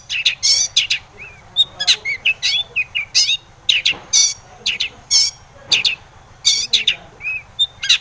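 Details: Long-tailed shrike singing to provoke other shrikes into song, a busy run of harsh scratchy notes mixed with short whistled slurs, bursts coming about twice a second over a low steady hum.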